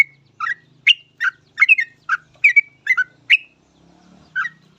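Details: Yellow-vented bulbul singing vigorously, offered as a lure so other bulbuls start singing fast; about a dozen bubbly, chortling note clusters in quick succession, with a faint low hum behind and a brief pause near the end.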